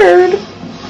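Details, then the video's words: 50-year-old Yellow-naped Amazon parrot, indoors, uttering a brief voice-like word, a clear tone falling away within half a second, in a quiet room. "Talking Parrot"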